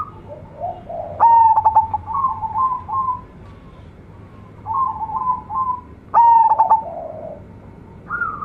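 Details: Singing local zebra dove with a big voice. Soft bubbling trills lead into a loud, clipped, whistled coo, then more rolling trill phrases, and a second loud coo about five seconds after the first.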